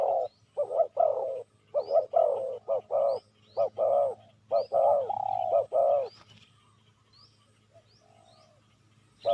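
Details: Spotted dove call for luring wild doves: dense bursts of deep, hoarse coos grouped in twos and threes for about six seconds, then near quiet with a soft drawn coo, while thin high chirps of other birds sound faintly.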